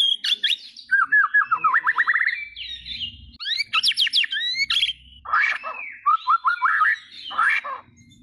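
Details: White-rumped shama singing a varied run of phrases: a rapid, repeated series of short descending whistled notes, then quick upslurred notes and more fast trills, broken by brief pauses. Low rumbling sounds appear in the background.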